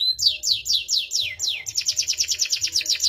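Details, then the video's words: Canary singing loud, slow downward-sweeping whistles, about three per second, that switch into a faster rattling trill of high chips. "Suara Burung Kenari Gacor cengkok mewah"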